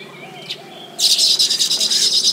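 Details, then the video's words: Baya weaver at its nest in tropical habitat: a quiet first second, then a loud, dense, buzzy sizzling chatter, high-pitched and pulsing steadily to the end. "The Baya Weaver’s Amazing Nests | Tropical Birdlife Sounds"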